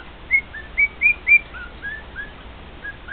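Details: Male pet cockatiel singing to two other cockatiels kept with it: a run of clear whistled notes, some rising, some slurred downward, four louder ones in the first second and a half, then softer trailing whistles.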